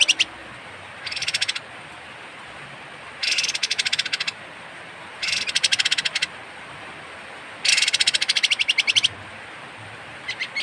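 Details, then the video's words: Strange rough call of a kapas tembak bird, used to tutor songbirds: repeated bursts of harsh, buzzy rattling, each lasting about one second, separated by short pauses of one to two seconds. "suara aneh burung kapas tembak"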